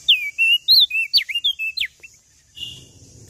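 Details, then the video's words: Tailorbird singing busily: loud clear whistles, slurred up and down, delivered in a rapid irregular string, then a soft rustling noise at the end. "Burung Prenjak Daun Lombok Gacor Full Isian"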